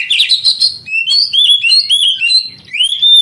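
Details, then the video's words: Oriental magpie-robin song used to push young, quiet canaries to sing: a scratchy chattering opening, then clear, looping whistled phrases rising and falling, ending on a long upslurred note. "Terapi Kacer tercepat"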